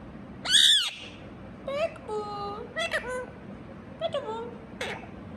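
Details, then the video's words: Indian ringneck parakeet talking: a loud, shrill opening squawk, then softer speech-like phrases with level tonal syllables and short chattering bursts, spaced across a few seconds in a quiet room. "Talking Parrot | Indian Ringneck Parrot"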